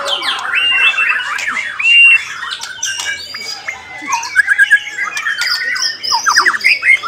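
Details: Caged white-rumped shama in a singing contest giving a rich medley of clear whistles, buzzy phrases and rapid descending note strings. The phrases change constantly, with other contest birds faintly audible.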